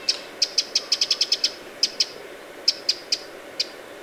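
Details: Eurasian wren giving alarm ticks beside Lake Vänern, Sweden, late July 2017: a quick run of about ten sharp clicks, then sparser single tics spaced under a second apart over a soft background hiss.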